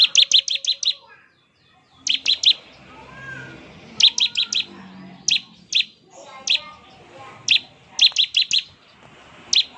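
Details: Bar-winged prinia in lively song, a style said to be most effective at making other prinias reply: crisp high two-part notes repeated in quick runs of three to six, separated by brief gaps, with faint low sounds beneath.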